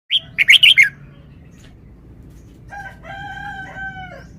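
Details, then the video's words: Caged red-whiskered bulbul singing a wild-style song phrase: four loud, quick, warbled whistled notes in under a second, followed after a pause by a rooster crowing with a long harmonic, drawn-out call. "นกกรงหัวจุก 1033 จ้าวมาดี สำนวนดี"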